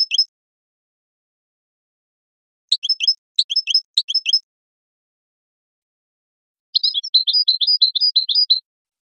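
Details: European goldfinch song used for training songbirds and stimulating goldfinches to mate in a breeding program: three bursts of high tinkling twitter, a short phrase, a cluster of repeated chirps, then a longer rapid jingling run near the end.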